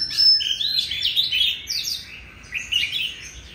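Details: Loud song of a wild-caught adult Oriental magpie-robin, with bright, fluid whistles and quick twittering runs in clustered phrases separated by brief pauses, with light background noise.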